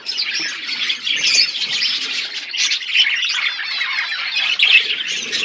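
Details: Flock of budgerigars feeding on seeds in an outdoor aviary, steady busy warbling and scratchy squawks overlapping without pause, high and bright throughout.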